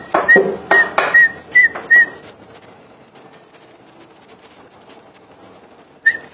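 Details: Common iora giving five short, level whistles in quick succession, then a long quiet pause before one last whistle near the end.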